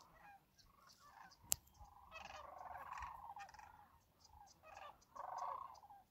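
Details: A large flock of sandhill cranes, 10,000–30,000 wintering at Whitewater Draw near McNeal, Arizona and calling day and night, gives a dense, overlapping chorus of rolling, trumpeting rattles that swell and fade, with a sharp click early on.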